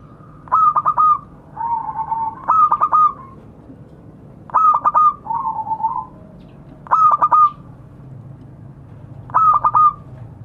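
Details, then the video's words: Local zebra dove calling to others: stuttered staccato coo phrases, each a quick rattle of notes ending in a longer coo, repeated about every two seconds with softer lower coos between. "Suara burung perkutut memanggil kawan"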